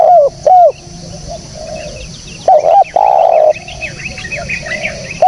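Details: Spotted dove cooing for use as a lure: a couple of short coos, then a brief phrase with one long coo, over a busy background of high chirping small birds and a faint distant dove.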